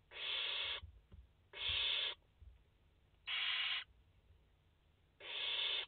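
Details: Nest of five barn owl chicks, 29 August 2021: four noisy snoring hisses, each around half a second, spaced unevenly, with soft low thumps between.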